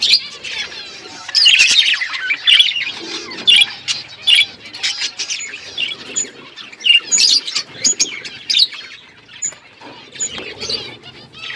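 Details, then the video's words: Flock of budgerigars in an outdoor aviary, chirping: a steady stream of high, scratchy warbles and short chirps, with louder bursts every second or so over a continuous low chatter. "Budgies flocks in outdoor aviary budgies colour budgies chirping sounds"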